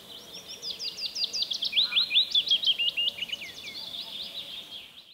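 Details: A willow warbler in Latvia sings a sweet, high phrase of quick slurred notes that slide gently downward in pitch and fade at the end, over faint background hiss.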